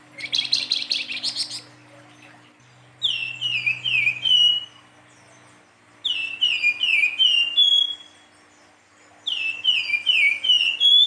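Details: Silver-eared mesia singing busily in nyuling fluting style: a harsh rapid chatter opens, then three phrases of descending slurred whistles, each closing on a sustained clear note, repeated roughly every three seconds.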